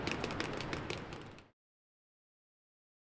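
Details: A second and a half of broadband rustling noise with faint clicks, then silence; no animal calls stand out.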